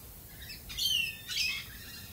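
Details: Galah, Australia, uttering two harsh, grating screeches half a second apart, the first with a strong whistled tone inside the rasp, over a quiet background.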